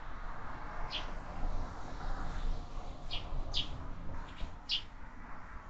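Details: Sparrows visiting a feeder fixed to a window, where fledglings are growing in number; scattered short high chirps, some in quick pairs, over a steady low rumble of background noise.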